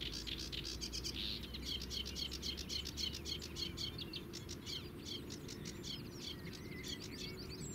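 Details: At the Zouweboezem, Netherlands, a sedge warbler filmed from afar delivers a fast, rattling run of ticking and chattering notes that speeds into dense trills, with a faint steady hum and low rumble behind.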